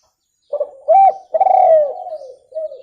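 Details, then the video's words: Clean spotted dove call used for luring birds: a soft short lead-in, then a strong mellow coo and a drawn-out, gently falling purr, ending with a quieter coo; no other sounds. "SUARA TEKUKUR JERNIH COCOK UNTUK PIKAT"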